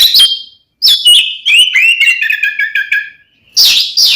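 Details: Oriental magpie-robin fighting song meant to make other magpie-robins agitated; a high whistle, then a rapid descending trill of buzzy notes, ending with a loud harsh burst.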